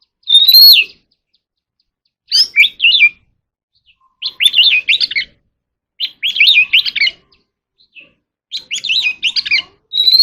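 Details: Contest singing by an Oriental magpie-robin, delivered as loud, varied whistled and warbled phrases in bursts of about a second, repeated roughly every two seconds with clean silent gaps between them.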